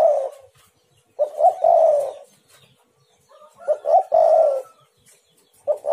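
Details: A spotted dove gives repeated coo phrases used for luring other doves to call: brief introductory notes then a long, warm, slightly falling coo, phrases about three seconds apart, with a faint high whistle between.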